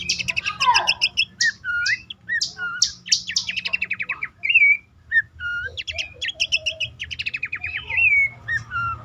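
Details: Abbott's babbler lure call, best played at dawn or at night for caged birds that rarely sing. Crisp chips and buzzy trills alternate with short whistled slurs, mostly clean with a faint low hum.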